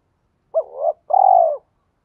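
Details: Spotted dove coo of the urging style, used to spur captive doves to call and settle. A clipped hoot flows into a rising murmur, then a long pulsed purr that tapers downward. Clean, with no other sounds.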